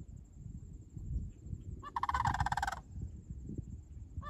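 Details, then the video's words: Sandhill crane calling near Lake Sallie: a single rolling, trumpeting rattle lasting under a second, with a low rumble of wind or background noise throughout. "Sandhill Cranes Near Lake Sallie"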